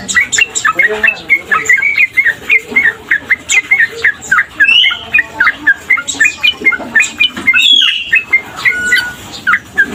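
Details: Male sooty-headed bulbul, a tame bird in full voice, gives bright, clipped chirps and short whistled phrases in quick succession, with brief gaps between bursts.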